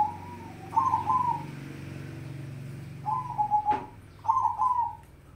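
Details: Zebra dove of a crossbred, mocha-coloured bird, kept indoors and calling: a series of soft, trilling coos in bursts of two to three notes repeated every one to two seconds, over a low background hum.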